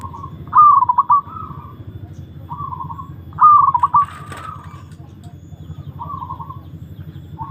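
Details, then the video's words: Long-kept zebra dove (perkutut) during a mental test: two loud song phrases, each a clear opening note sliding into bubbling staccato coos, with softer level coos between, over a steady low hum. "Tes mental burung perkutut"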